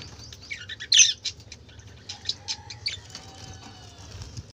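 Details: Budgerigar chatter with a loud squawky burst near the start, then scattered short high chirps and a faint thin whistled note, over low steady hum.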